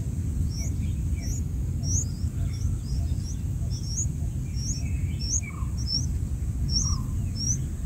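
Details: Black-headed bulbul nestlings begging while being fed: thin, high, upslurred chirps repeated about every half second throughout, with a few softer lower notes, over a constant low background hum.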